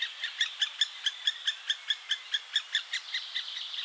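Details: A great spotted woodpecker (Dendrocopos major), a European bird, gives a steady series of sharp, high 'kik' notes, about four or five each second, with a faint thin whistle briefly behind.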